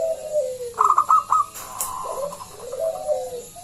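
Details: Local zebra dove with a big voice, a lure to set other doves singing. A falling coo, then a quick run of four or five staccato high notes, then more descending coos.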